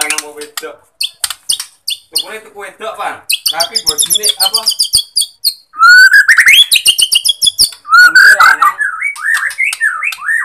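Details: Bornean white-rumped shama singing, used as a lure to fire up shamas lacking drive: a mix of dry rattles and chattering notes gives way to loud, rising whistled phrases and wavering warbles.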